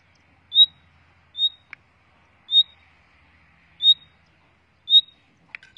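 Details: Common nightingales kept for breeding in a cage: a clear, short high whistled note repeated five times at roughly one-second intervals over a quiet background, with a few soft clicks near the end.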